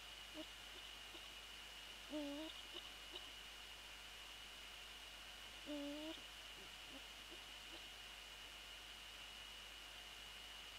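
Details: Eurasian eagle-owl visiting its nest at night on 20 January 2014, between 21:07 and 21:09: two short, low, slightly falling hoots about four seconds apart, over a steady high electronic whine.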